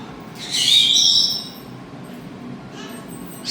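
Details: In a large parrot-rescue bird room housing 18 Senegal parrots, 3 hawk-headed parrots and an African grey, a hawk-headed (red-fan) parrot gives one loud, harsh, shrill second-long screech, then a fainter, rougher call, over low room hum.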